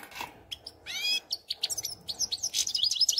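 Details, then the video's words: European goldfinch song, a dense, liquid stream of quick chirps, slurred whistles and high twittering notes that grows steadily busier toward the end. "Щегол Пение"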